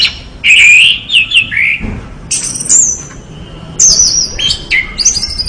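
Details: Orange-headed thrush singing clear whistled phrases: a loud descending slurred whistle, then higher sweeping notes and short downward slides, phrases separated by brief pauses.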